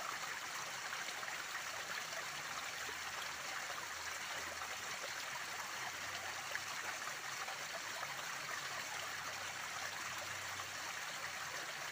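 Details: Steady rushing and trickling of a stream fills the recording, with no animal voices heard.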